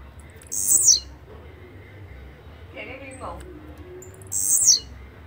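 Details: Two high, sizzling Blue-black grassquit phrases, each a brief buzzy downslurred burst, roughly four seconds apart. A fainter, lower chirping sound falls between them.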